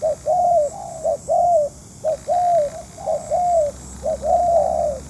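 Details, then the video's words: Decoy spotted dove during a trapping session, cooing steadily in paired phrases of a brief note followed by a longer, slightly falling coo, repeated about once a second with a quiet hiss behind. "Giao lưu bẫy cu gáy cùng với mấy anh cu thủ nghiệp dư"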